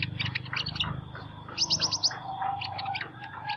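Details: Sunbird with an unusual singing voice giving a short run of high, fast ticking trills among scattered lower chirps, with a low droning hum in the background.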